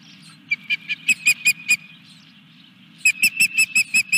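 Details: Osprey at its nest at Dunrovin Ranch during a fish delivery, 14 July 2021: two bursts of loud, piercing whistled chirps repeated rapidly, roughly five to eight notes each, separated by a short pause, with a low steady hum beneath.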